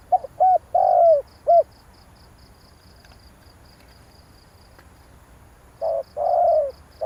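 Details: Spotted dove calling to rouse a decoy bird: a phrase of short coos and a long falling coo, a quiet pause of several seconds, then another phrase begins, with steady high insect pulses throughout.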